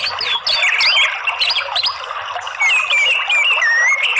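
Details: A captive orange-headed thrush sings a rich, varied song of whistles, slurred notes and quick chattering phrases, used as a therapy recording to encourage other birds to sing.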